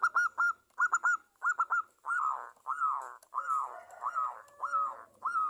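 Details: Local zebra dove singing as a lure for other doves: rolling triple coos, then longer, slurred, warbling notes repeated steadily, with faint high chirps in the background.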